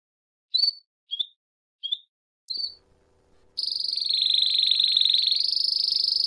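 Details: Canary in campainha (bell) song: four short separate high chips spaced under a second apart, a short gap, then a sustained, very fast metallic rolling trill that rises slightly near the end.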